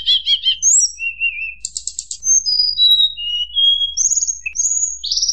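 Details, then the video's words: Flute-like song of a tledekan gunung, meant to rile rival birds: quick stuttered notes, a wavering mid whistle, a buzzy burst, then a chain of pure whistles stepping down and a final rising phrase. "tledekan gunung nyuling bikin lawan emosi"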